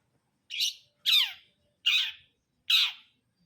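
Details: Long-tailed shrike giving four harsh, grating, rasping notes about 0.7 seconds apart. Each one is a loud scratchy screech that slurs downward at the end. Brundol style song.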